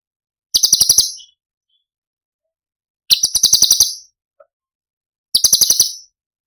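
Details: Cucak cungkok song of the 'tembakan' style, used as masteran for training songbirds: three short dry chattering bursts, each a fast run of harsh high pulses lasting about half a second, separated by silent gaps.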